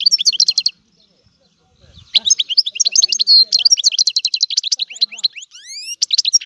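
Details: European goldfinch singing: a burst of rapid high twittering, a pause of about a second, then a dense run of liquid chirps and trills ending with several clear rising whistled sweeps.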